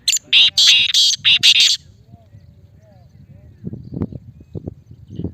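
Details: Male black francolin gives a rapid series of loud, harsh, rasping notes in the first two seconds, followed by quiet low background murmuring and faint thuds.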